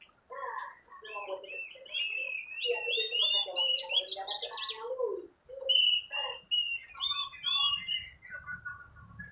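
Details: Oriental magpie-robin, just bought and being trained, delivering a loud varied song of rising and falling whistles, trills and lower warbled notes. A faint low rumble comes near the end.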